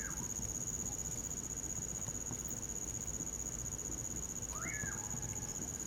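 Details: In winter, a common pauraque, locally bacurau or amanhã-eu-vou, gives a slurred whistle that rises sharply and drops away. The tail of an earlier note opens the recording. Crickets trill steadily, with faint crackles from a campfire.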